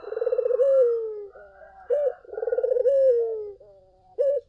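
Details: Collared dove song used as a lure for other doves: two rolling, pulsed low coos, each easing into a long downward-sliding tone, each followed by a short higher, abrupt note.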